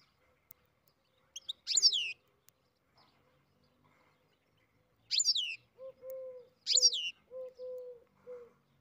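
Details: European goldfinch from a breeding setup, starting its song: three bright, steeply falling phrases, with a series of lower flat whistled notes from another bird following near the end.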